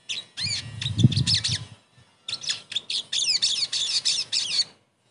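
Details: Sogon song used as a lure to get a silent bird singing again: two runs of sharp, high, fast chirps and squeaky twitters separated by a brief gap, with a soft low thump early on.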